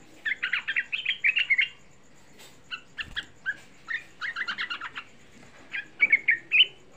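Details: A young sooty-headed bulbul sings a lively lure song for rousing other bulbuls. Fast chattering phrases repeat in clusters separated by brief gaps, ending with a bright rising flourish.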